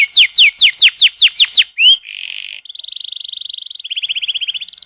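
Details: Canary training song used as a lure to get canaries singing; a run of fast, steeply descending whistled notes, then a buzzy note, then long rapid trills at different pitches, ending on a higher roll.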